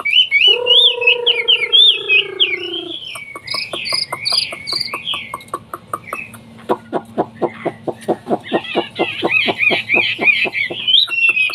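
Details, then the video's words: Hwamei, a bird of Chinese origin, in rich whistled song. Fluid phrases open over a long, low, drawn-out tone from another source, then a stretch of rapid dry clicks, then more bright looping whistles. "BURUNG WAMBIE SUARA BERKELAS MEWAH"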